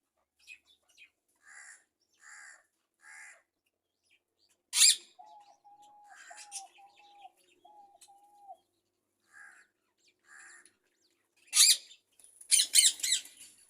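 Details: A parrot gives scattered short harsh squawks, then a run of five soft, low whistled notes, followed by loud raspy bursts and grating calls near the end.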